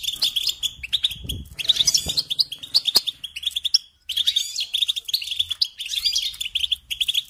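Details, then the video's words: A European goldfinch sings a tutoring song meant for training young birds: lively twittering of quick tinkling notes and short trills in bursts, one brief pause near four seconds, and a soft low rumble in the background. "Teaching Singing Lessons Through Goldfinch Motives"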